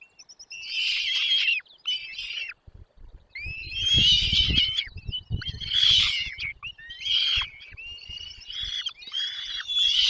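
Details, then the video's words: Chicks begging while a parent feeds them in the nest: repeated harsh, buzzy bursts with whistled notes between them, and a low rumbling of movement in the middle. "mom dad birds brings food to feed their chicks in the nest"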